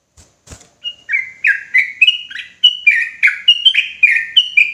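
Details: Agitated sooty-headed bulbul delivering continuous 'ropelan' song, a quick chain of short whistled notes that dip and rise, about three per second, after two soft taps at the start.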